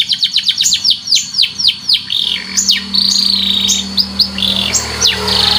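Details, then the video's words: White canary chirping for training: a fast run of high, downswept chirps, then sustained buzzy trills and sharp upward notes, with a low steady hum underneath. "suara burung kenari"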